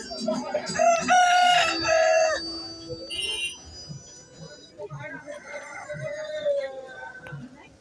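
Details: Country rooster (desi murgi) crowing: a loud, harsh, drawn-out cock-a-doodle-doo lasting about two seconds. A shorter second crow follows beneath background talking and low rumbling.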